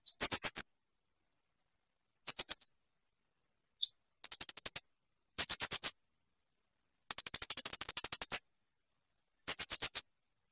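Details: Blue-crowned hanging parrot (srindit) song used as a training recording for cage birds: short bursts of rapid high, thin ticking notes, some long trills, separated by pauses, on a silent background.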